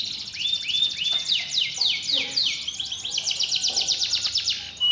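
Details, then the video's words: Canary song played to get a lazy canary singing again: looping rising whistles, then long series of quick sweeping notes forming a rolling trill, with faint low sounds underneath. "Pancingan Burung Kenari Males Bunyi Agar Gacor Lagi"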